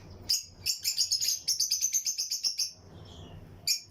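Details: Lutino lovebirds in a breeding colony cage: a quick, steady series of about fifteen shrill, high-pitched chirps over two seconds, then a short pause and a final sharp chirp, against faint low hum.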